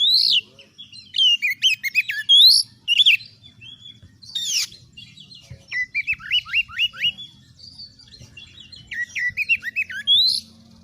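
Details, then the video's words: Energetic oriental magpie-robin song meant to test the nerve of other birds so they become fighters: bursts of loud sweeping whistles and chattering notes, then strings of quick upslurred whistles, with short pauses between phrases. "MASTERAN KACER GACOR || Kacer gacor tes mental burung lain agar fighter"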